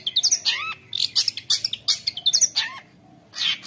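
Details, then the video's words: Long-tailed shrike in chattering 'konslet' song packed with imitated phrases, played as training for juvenile shrikes: short bursts of harsh, scratchy high notes mixed with rising whistled slurs, separated by brief gaps. "CENDET GACOR KONSLET | cocok untuk masteran trotol cendet | shrike bird"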